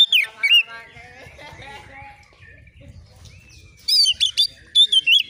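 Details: Untrained Oriental magpie-robin answering at once, agitated as if seeking a rival: a loud burst of high whistled, warbling notes opens the moment, then a quiet gap with low background murmur, then another run of sharp whistled phrases.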